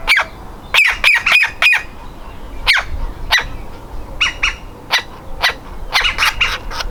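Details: Baby woodpecker ready to leave the nest and trying to get out, calling in fast harsh bursts of several notes, then single rasps, with chattering clusters toward the end.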